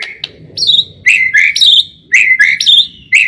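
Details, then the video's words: Repeated paired whistles from a white-rumped shama used to get other shamas singing, each a high note dropping to a lower clear whistle, roughly every half second, over faint low background noise. "Masteran burung murai pancingan suara burung murai burung murai gacor"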